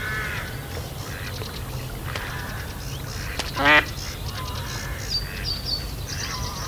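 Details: At Kirriemuir RSPB, a female Mallard calls during rough mating while a rival male attacks the mating drake: one brief harsh quack after scattered clicks and chatter, with high whistles from other birds afterwards.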